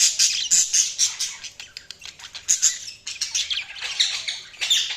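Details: Budgies chattering: dense, high, scratchy chirps and squeaky twitters tumble along without pause, rising and falling in loudness.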